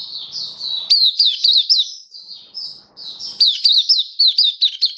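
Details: Caged Oriental white-eye, Kitaro type, on day seven of a song display booster trial, 27 October 2022: a thin high warble over faint low hum, then fast sharp twittered notes, a softer pause, and another rapid burst.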